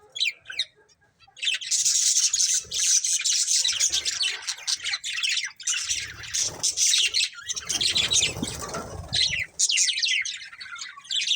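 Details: A colourful breeding pair of budgies chatters almost nonstop in harsh, buzzy warbling, with squawky notes mixed in, a brief dip near six seconds, and some low background rumble.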